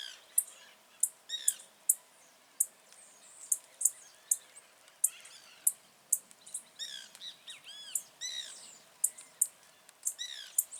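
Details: Wild blue-black grassquit in nature delivering short, explosive high notes at a regular pace, about every half second, amid scattered arched whistled chirps from other birds.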